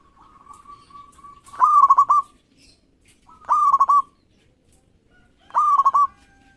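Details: Frequently singing local zebra dove whose voice is used to prompt rivals to sing. A long, soft, level coo leads into three loud, rattling, stuttered phrases spaced about two seconds apart.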